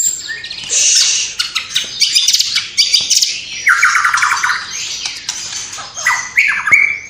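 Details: White-rumped shama in Cililin in fervent song including copied sparrow, fighting lovebird and kapas tembak sounds: harsh high squawks and rattles, a lower buzzing trill, then rising whistled slurs.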